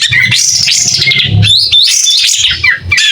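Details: Spirited, tail-spreading White-rumped shama. Dense, fast, high warbling with scratchy, twittering notes and a few clear whistles. Low rumbling and knocking sounds run underneath.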